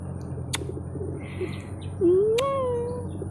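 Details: Pet parrot calling with a brief rising note that flows into a sustained, gently falling whistle, with a woman's voice and household hum around it.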